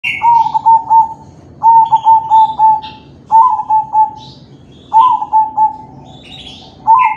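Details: Crossbred kept zebra dove with a kalung tempuk neck pattern, singing perched, its cooing offered to prompt other doves to sing: four mellow coo phrases of three or four quick level notes, with faint high chirps of other birds between.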